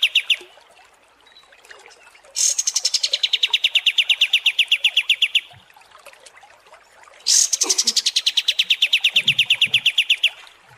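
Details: {'caption': 'White-shouldered triller (kapas tembak) tutoring song for contest songbirds: two long, fast, even trills of bright notes around mid-high pitch, each lasting about three seconds, separated by quiet pauses.'}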